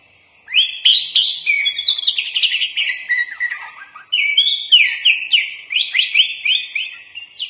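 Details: Kutilang, the sooty-headed bulbul, singing a masteran song rich in 'isian' fill phrases: dense, rapid warbling of sweeping slurred notes, breaking briefly halfway, then resuming with a quick run of rising and falling swoops.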